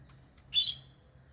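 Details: One loud, shrill squawk from a pet lovebird, preceded by two faint soft chirps, rising abruptly and fading after about a quarter second over a quiet low hum.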